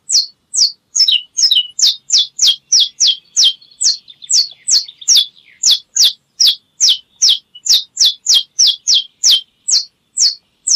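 A canary sings a bright, high series of quick downslurred notes, about two or three each second, with a brief rolling trill partway through.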